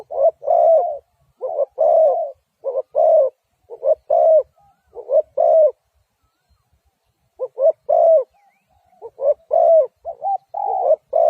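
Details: Spotted dove giving a long run of low mellow coos, short notes alternating with longer drawn coos in quick succession, a pause of about two seconds midway, then the series resumes.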